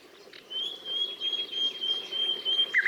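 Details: ['Nightingale song: one long, pure, steady high whistle held for about two seconds, ending in a short lower note, with faint background hiss.']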